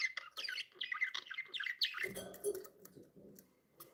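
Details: Pet budgies, cheerful, rattle off rapid squeaky twitters for two seconds, then soft scattered chirps over a low rumbling background.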